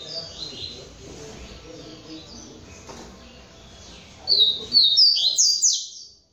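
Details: Captive singing male double-collared seedeater from a breeder, polaco song style: after a stretch of background hiss and faint notes, a burst of high, bright, sweeping whistled syllables rings out in quick succession near the end.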